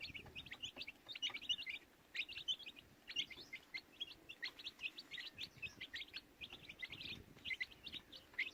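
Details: Young chicks peeping steadily, a dense chorus of thin, high, brief chirps overlapping from several birds, rapid and uneven in rhythm throughout, over a soft low background murmur.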